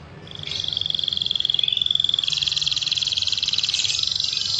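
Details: Canary singing a rapid stuttering song stuffed with imitated Javan whistling thrush phrases in a fast, tight delivery: a long high whistled note, then a dense buzzy trill of rapidly repeated high notes pulsing about twice a second.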